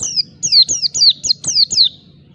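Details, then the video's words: Wild-style ngalas song of an Oriental white-eye seeking an opponent: seven clear, high downward-sweeping whistles, spaced a fraction of a second apart, fading at the end. "Pleci Ngalas Cari Lawan"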